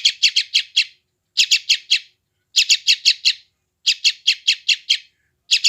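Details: Chick of a sooty-headed bulbul, West Java, phone-recorded to help newly captured wild birds settle and respond; continuous series of rasping chirps in groups of four to six with brief gaps.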